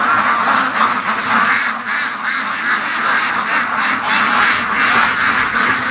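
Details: Crowd of free-range ducks racing to the lake, a dense mass of overlapping quacks with some louder, harsher honking calls standing out above the chorus.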